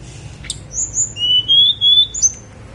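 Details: Snowy-browed flycatcher singing on Mount Songgo Langit: a sharp high note, then thin whistled notes with a long, level, slightly rising middle whistle and a short high whistle at the end. The background is quiet.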